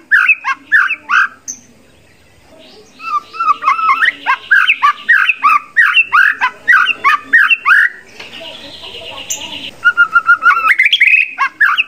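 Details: Contest white-rumped shama with a garden-full repertoire of fill-in phrases: long run of quick, evenly spaced downslurred whistles and chips, a brief buzzy rasp near the middle, then a level trill and more chips.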